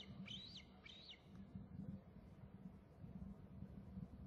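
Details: Eaglet calling while flying near its nest: two thin, high whistled calls, each rising then falling, about half a second apart, over a steady low rumbling background.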